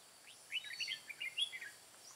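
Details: Red-whiskered bulbul used as a decoy during trapping of wild birds in the mountain forest of Hòa Bình, Vietnam, 5 February 2017: a lively, warbled run of short whistled notes, rising and falling, over a steady high insect hiss.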